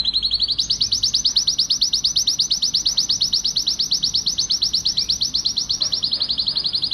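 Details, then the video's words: Excited male canary singing to stimulate breeding, a sweeping note rising into a fast, rolling trill of bright high pulses that dips slightly in pitch toward the end. "تغريد كناري حامي صوت هائج لتحفيز الأنثى والذكر لتزاوج"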